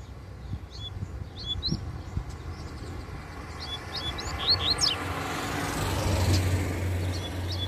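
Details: Wild male double-collared seedeater, worked up by his female nearby in a tree, gives bursts of sharp, high whistled notes in two groups, against rumbling vehicle noise and passing speech.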